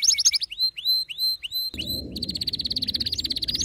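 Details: In this short burst, an excited male canary gives a few quick chirps, then a series of clear curved whistles, and finally a rapid pulsing trill over a low background hum.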